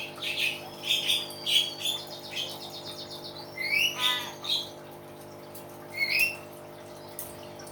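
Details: Loud-voiced captive common hill myna in a natural-sounds style: clear whistles and rising, slurred notes spaced by short pauses, with a steady mechanical hum underneath.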